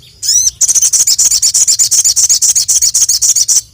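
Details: Crested jay kept as a songbird, calling out to rivals: a single sweeping call, then a fast, loud, high rattle of about twenty even pulses lasting three seconds.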